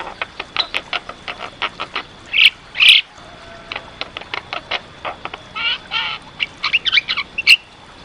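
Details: Black-winged starling singing in a lively masteran training recording: rapid series of short clicking notes broken by loud harsh bursts and a few whistled phrases, with a faint steady high tone behind.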